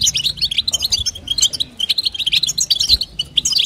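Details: Female European goldfinch calling to stimulate a male, in the twittering style called batbata: rapid high, bright chirps and short trills run together almost without pause, with faint low hum underneath.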